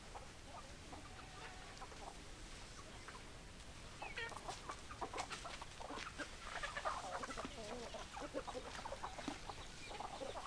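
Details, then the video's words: Hens clucking: short, irregular clucks over a steady hiss of background noise, growing busier in the second half. "Chicken Sounds Noises Hens Clucking Roosters Crowing"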